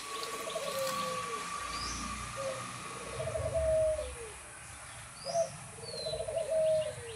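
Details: Lakha pigeons bathing in hot weather. Soft, low coos are repeated in short rolling phrases roughly every one to two seconds, with faint higher chirps and background noise.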